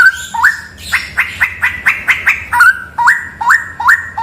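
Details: Straw-headed bulbul song from a cave: a run of crisp clicks, then rich whistled notes that rise in a step, repeated about every half second over a soft low hum.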